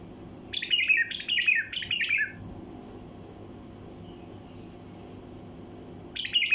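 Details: Wild bulbul flight call used to attract passing flocks: three harsh, downslurred squawky phrases in quick succession, a long pause of about four seconds, then another harsh phrase begins, with steady low hum throughout.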